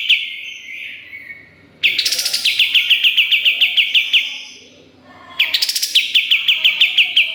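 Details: Kapas tembak belting out a 'nembak' song with sharp fills, used to train competition songbirds: each phrase opens with a rising burst, then a long string of rapid, clipped chirps, with quieter trailing notes between.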